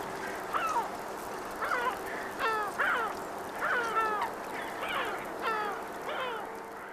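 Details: Two yellow-legged gulls fighting for a fish, calling in bursts of harsh, bending yelps, often doubled, about once a second, over a faint steady hum.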